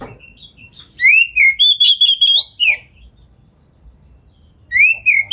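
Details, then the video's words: White-rumped shama (kacer) lure song to draw replies from other shamas; clear rising whistles followed by a run of rapid repeated notes, a pause, then another rising whistle. "Pancingan Kacer Gacor Speed Rapat Buka Ekor! Buat Kacer Lain Auto Nyaut"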